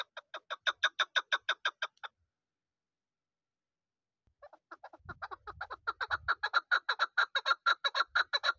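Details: Chukar partridge, a young hunting bird from this season, delivers two bursts of quick, harsh repeated chuk notes separated by a two-second pause, the second run longer and accompanied by brief low rustling.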